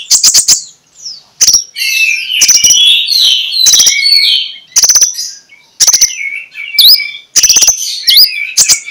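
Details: Lure song of a magpie-robin in ngeplong style, played in the morning to make other magpie-robins sing: rapid buzzy click bursts alternating with varied whistled phrases and sharp up-and-down slurred notes.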